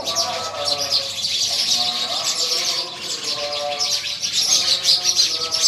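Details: Continuous fast high-pitched chirps from many sparrows fill the air over a man's steady recitation of scripture.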